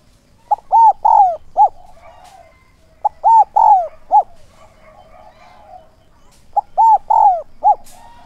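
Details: Spotted dove kept as a decoy to draw in wild doves, giving thúc and gáy gọi calls: loud, clear groups of four hooting coos, the third drawn out and falling, repeated about every three seconds against a quiet background.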